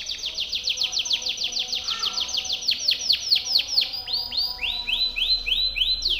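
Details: Timbrado canary delivering its most powerful song for training other canaries: a fast series of loud, high descending sweeps that slow slightly, then change to shorter rising-falling notes repeated about twice per second.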